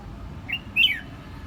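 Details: Red-whiskered bulbul from Vietnam giving a brief whistled fragment: a short rising note followed by a louder slurred, falling whistle, over faint low background noise.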